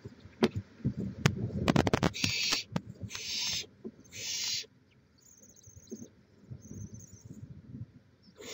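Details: Barn owl nest, Chula Vista, California, live cam, 18 May 2017: a flurry of sharp clicks and thumps, then three rasping hisses in quick succession, followed by quiet with faint high thin tones.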